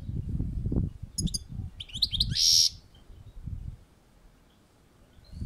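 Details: European goldfinch singing on a balcony: a few short, high, chattering twitters and a buzzy burst over low rumbling background noise, then quiet.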